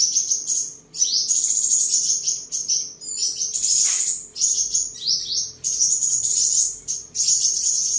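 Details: High-pitched rapid twittering song of a seven-colour sunbird kept caged at home in Đồng Nai, Vietnam, 23 July 2022, amid display and sparring; nearly continuous sharp trills with quick up-and-down slurred notes and brief gaps.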